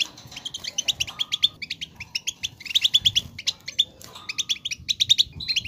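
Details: Goldfinch song intended to prompt singing: continuous bright twitters and jingling notes, with a few sharper repeated chips in quick sequence.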